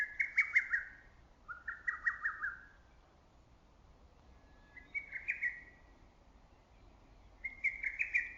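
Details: From a valley forest in early summer, a lesser cuckoo keeps calling in pairs of phrases, each a fast chattering run of ringing whistled notes, with a few seconds of still air between the pairs.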